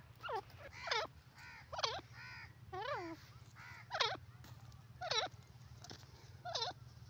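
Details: Female grey francolin, the jungle or dakhni teetar, giving repeated harsh harmonic calls, about one a second, each sweeping down then up in a bent shape, against a low humming background.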